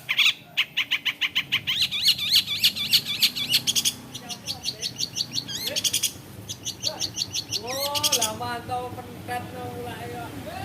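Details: Long-tailed shrike (cendet), said to copy the songs of many other birds, opens with a rapid, steady rattle of sharp repeated chips, then shifts to buzzy trills and a series of downslurred whistled notes.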